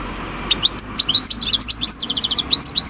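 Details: Wild-caught European goldfinch aged six, field-style song recorded 26 December 2019: sharp, bright, high chirps and slurred whistles tumbling rapidly, with a brief dry rattling trill near the end.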